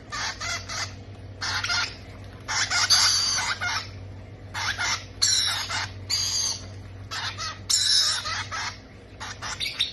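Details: Parrot chicks being fed, giving harsh, raspy, hissing begging bursts in rapid repeated runs about every second, with a steady low hum underneath.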